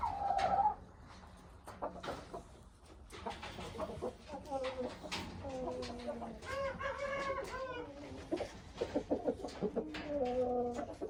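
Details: Young six-month-old Aseel rooster giving a series of drawn-out, harmonic crowing calls, some wavering and some falling in pitch, with short clucking notes and soft background noises between them.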